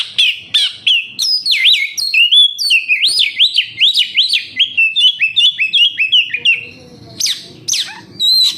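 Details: Captive kacer or oriental magpie-robin gives a lure song: a rapid string of loud rising-and-falling whistled loops, about three per second, fading before a few sharp final notes.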